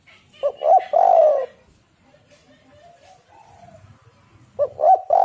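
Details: Spotted dove singing, a recording meant as a lure to get other spotted doves singing: a short husky coo phrase with two quick notes leading into a long drawn-out coo, repeated about four seconds later, with quiet pauses between.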